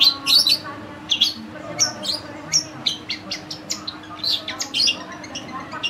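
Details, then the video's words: Long-tailed shrike song from a caged bird: scattered harsh squeaks, sharp chips and short scratchy bursts at irregular intervals, with a faint low hum behind. "BURUNG CENDET/PENTET FULL MASTERAN,GACOR"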